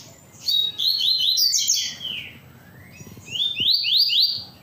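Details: Well-managed caged double-collared seedeater in full tui-tui song: sharp, high, rising whistled slurs strung rapidly together, a descending sweep mid-phrase, then a fresh burst of upslurs.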